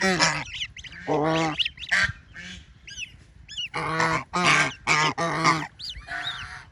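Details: Baby ducks playing in water: loud, buzzy, nasal calls alternate with clear, high, arched peeps in separate bursts, while a faint low hum runs throughout.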